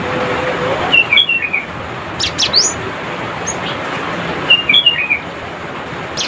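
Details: Cinereous tit calling rivals, giving quick sets of short clipped twittering notes, then a couple of sharp high sweeping chips, with the twitter repeated near the end against a faint background hiss.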